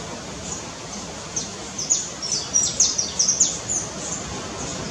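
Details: Red-legged honeycreeper near a guesthouse at Cumuruxatiba, Bahia, Brazil: a series of very high, thin, sharp chirps, short downward ticks repeated roughly twice a second over a steady hiss of background noise.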